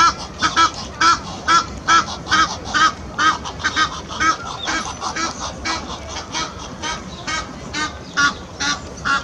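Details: Egyptian goose pair aggressively chasing off another pair by the Serpentine; a long run of hoarse, pumping honks, roughly two per second, continuing without pause over several seconds.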